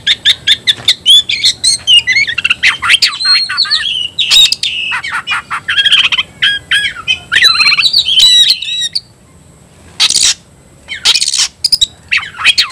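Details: Oriental magpie-robin fighting song meant to provoke other magpie-robins into singing and fighting; dense run of loud whistled notes, sharp chips and harsh buzzy bursts, briefly pausing near ten seconds before resuming.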